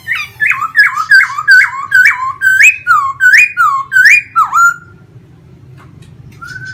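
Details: Pet laughingthrush in a cage, singing while dancing with spread plumage; about ten loud, looped, downslurred whistles in a steady run, ending in a dipping whistle and a brief distant note after silence.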